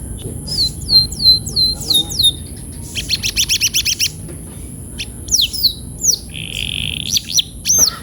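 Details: Canary song played as training to get canaries rolling fast: a few falling whistled notes, a dense buzzy rattle, then scattered slurred notes and a flat buzzy trill, faint high hum behind.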